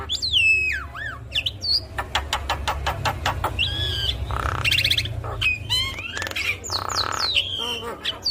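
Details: Javan myna delivering busy 'full isian' gacor song for prompting other mynas: a swooping whistled downslur, evenly spaced sharp clicks, harsh buzzy bursts and short rising whistles, steady low hum throughout.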